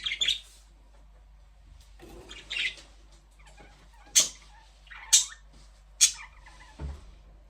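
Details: Budgerigar chirping in a quiet room: spaced single notes, some scratchy and some sharp rising squeaks, roughly one per second, with a soft low thump near the end.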